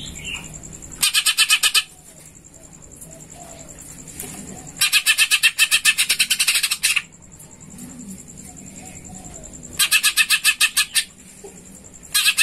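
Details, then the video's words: Greater green leafbird song used to lure other birds into singing: bursts of rapid, dense buzzy notes, roughly 1 to 2 seconds long, repeated several times and separated by quieter chirps, over a steady high electronic whine. "pancingan cucak ijo full suara gereja"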